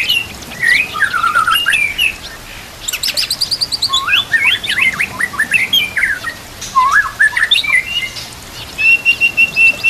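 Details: White-rumped shama training song with rich, varied phrases: fast warbled slurs and dense bursts of high notes, ending in a level sustained whistle, over a background hiss.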